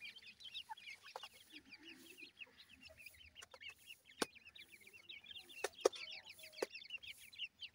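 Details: Grey francolin chicks keep up a continuous twittering of high, slurred peeps from many birds at once, interrupted by a few sharp clicks.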